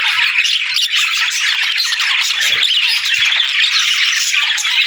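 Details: Budgerigars singing: a dense, continuous wall of high chirps, squawks and warbled notes from many birds at once, with a short dip in the chatter midway and faint low knocks underneath.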